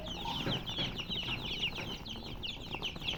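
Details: Baby chicks chirping in a crowd, shrill falling peeps packed closely and overlapping, about three per second, over a faint low hum.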